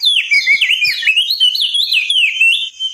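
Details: Crested white-eye singing a loud, continuous warble of quick, sweeping whistled notes that rise and fall without pause, with a few faint low taps beneath.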